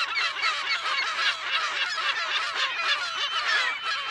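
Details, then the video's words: A dense, continuous din from a California gull colony, heard close to medium distance, with many birds' harsh nasal yelps and squeals overlapping without pause and no single caller standing out. "California Gull / CU - MP Calls In Colony"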